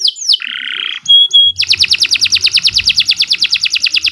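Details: Canary's long continuous training song: two falling whistles, a harsh buzzy note, short pure tones, then a fast steady trill of swooping notes repeated several times a second.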